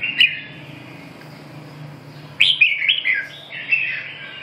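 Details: Red-whiskered bulbul singing: a thin high note, a pause, then a bright run of quick warbled chirps over a steady low hum.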